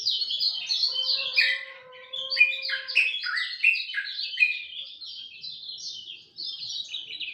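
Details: At dawn, a lemon-bellied white-eye sings a lively, high twitter of quick descending notes. A low steady tone sounds during the first three seconds, and there is a short pause near the end.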